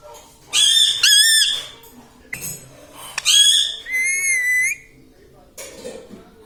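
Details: Indoor pet green ring-necked parrot mimicking speech such as mithu and mummy: loud, shrill harmonic syllables with wavy pitch, several in quick succession, followed by a steadier drawn-out tone and a brief softer sound.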